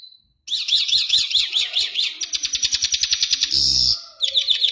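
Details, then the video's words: Iranian Mashadi lark (jal) singing: a rapid run of high zigzag trills, then a fast rattling series of clicks, a short burst of noisy buzz and a final chattering phrase. "Mashadi larks lunda jal full Sining"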